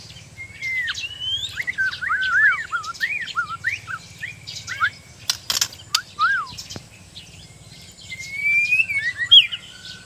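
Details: Borneo-type white-rumped shama under training sings a series of short down-slurred whistles repeated in quick succession, a few sharp clicks, then a rising whistled flourish, with low background hum.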